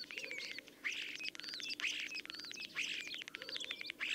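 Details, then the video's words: Common Starling singing with repeated wheezy, squawking bursts between thin whistled slurs and rapid clicks, the pattern recurring roughly every second over a steady low hum. "Скворец обыкновенный Sturnus vulgaris"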